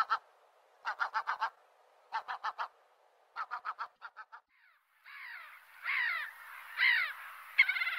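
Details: Seagulls calling in short bursts of four or five clipped harmonic notes, each burst separated by a pause, then giving way to longer, drawn-out, downward-sliding cries near the end.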